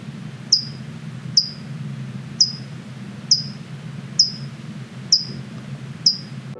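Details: A California Towhee gives sharp, high metallic chips from the bushes, one roughly every second, seven in all, over a low steady hum; pairs defend territory together year-round.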